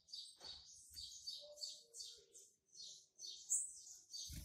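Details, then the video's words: Young male double-collared seedeater hatched in March 2019, already singing to mark its territory: soft, high, buzzy twittered phrases in quick bursts with brief pauses, plus faint low thumps. "COLEIRO PARDO QUERENDO JÁ MARCAR SEU TERRITÓRIO"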